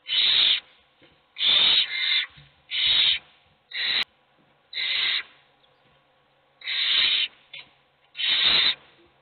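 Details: Hungry owl chicks begging, of which only one gets fed: harsh, broadband hissing screeches, each about half a second long, repeated roughly every one to one and a half seconds with short quiet gaps between bursts.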